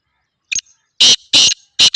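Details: Black francolin (Sindhi teetar) calling. A short thin note opens, followed by three loud grating buzzy notes in a steady series, each about a quarter-second long, with no other sounds.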